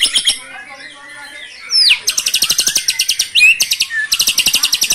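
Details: White-rumped shama in full, energetic song with 'brantakan' filler material: bursts of fast buzzy rattling trills and sharp upswept whistles, rapid ticking notes running throughout, short pauses between bursts.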